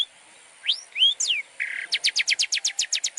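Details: Long-tailed shrike song for teaching other birds, a few sweeping slurred whistles and a short buzz, then an even rapid series of sharp repeated notes.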